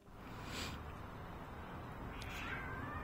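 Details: Eurasian jay seen from a house gives a nasal, drawn-out mew imitating a cat's meow, mistaken at first for the household cat, heard over a steady low rumble of background noise.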